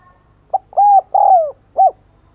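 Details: Cooing from a decoy spotted dove calling to attract others: a quick soft note, a sustained coo, a long coo dropping in pitch, and one short final coo, clear and close with almost no background.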